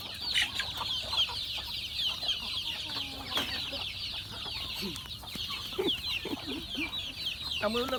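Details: Chickens at feeding time on a farm keep up a thick chorus of shrill overlapping peeps. Short, lower clucks and rising squawks stand out near the end, over a faint low background rumble.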